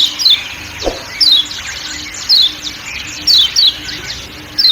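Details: Kecial kuning, a Lombok white-eye, giving high, thin 'ciak' chirps that slide downward, in bursts of one to three roughly every second, over a steady forest background with a faint low hum.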